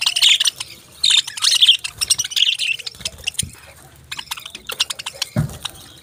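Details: Chirping parrots: clusters of sharp, high tweets come in busy bursts, then thin out briefly before resuming. Two soft low thumps are also heard.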